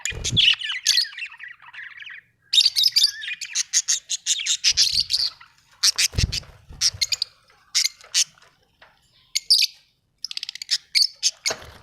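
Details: Budgerigar, called an Australian bird, chirping in quick strings of sharp high notes and scratchy chatter, broken by short silences and a few low thumps.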